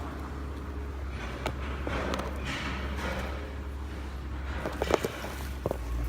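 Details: Low steady hum with scattered soft clicks and knocks, as of objects being handled. No animal voice can be picked out.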